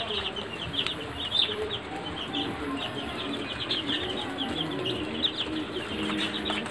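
A crowded flock of Sonali chickens gives a constant overlapping chatter of high peeps and soft clucks, with lower murmuring calls underneath.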